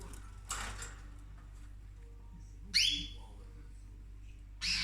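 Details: Female pet cockatoo eating orchids in the house: a breathy rustling burst first, then after a quiet gap one loud rasping squawk with a rising ring, and a final harsh call cut short.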